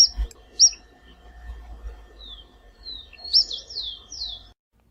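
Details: Vermilion Flycatcher (Príncipe) of the Brazilian Cerrado giving a few sharp, very high chirps, then a quick run of thin, descending slurred notes near the end.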